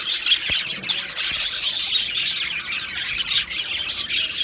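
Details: Busy high twittering from two male Australian budgerigars, harsh squawky chirps and thin tweets overlapping, with a couple of faint clicks early on.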